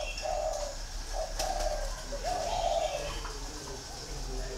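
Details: Green pigeon calling: a run of wavering, whistled notes at mid pitch, rising and falling smoothly, with a brief break before a longer, brighter warbled phrase; faint hiss and clicks behind.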